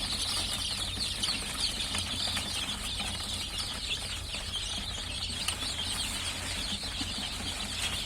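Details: Chickens that have just started hatching fill the air with steady, high-pitched peeping from many chicks at once. The thin cheeps overlap densely over a continuous low electrical hum.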